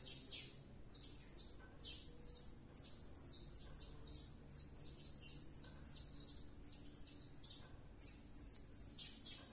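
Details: Blue-crowned hanging parrot, called serindit, singing gacor after returning from luring: an almost continuous string of high-pitched squeaky chirps and whistles, quickly repeated throughout.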